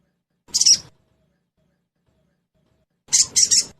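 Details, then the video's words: Trotol style sogon (crested jay) used as a lure to make birds sing quickly: one short scratchy burst followed about two and a half seconds later by a three-pulsed harsh buzzy phrase, clean background. "Suara pancingan SOGON TROTOL agar cepat bunyi"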